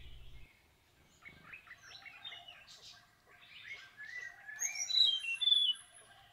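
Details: A male Indochinese blue flycatcher starts the day with song at about 7:30 am, at a bird hide beside Kaeng Krachan National Park, Thailand: a sweet, varied warble of slurred, rising notes building to clear high whistles, with a soft thump at the start.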